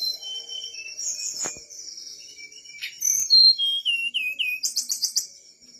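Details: Whistler singing energetically: a varied run of clear whistled notes, some held, some sliding down in a stepped series, ending in quick repeated high chips, with a faint low hum beneath.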